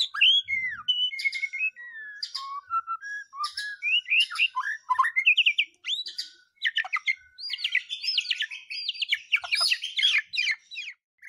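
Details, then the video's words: White-rumped shama lure song for making other birds sing out their learned phrases: a long varied outpouring of whistles, slurred notes and fast chatters, becoming denser and more excited toward the end. "Pancingan murai batu mendongkrak keluar isian"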